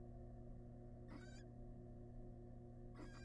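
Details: Wild barn owl family in a research nest box, the male delivering a large rat; two rasping, hissy screeches about two seconds apart against a constant low hum.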